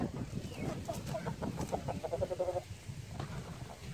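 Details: Light Brahma chicken giving a run of short nasal clucks that speed up into a quick repeated series before stopping, over a low rumbling background.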